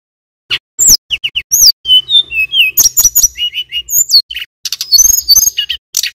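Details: Male mountain tailorbird, from Banyuwangi, in lively song: bright high chips, then a run of sliding whistles dropping in pitch, followed by repeated short whistles and rapid high notes.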